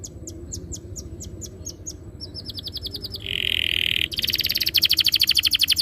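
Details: Canary song used as a lure to get canaries singing fast in rolling ngerol style: soft high chirps, then a short buzzy steady tone, then a loud rapid trill of high notes.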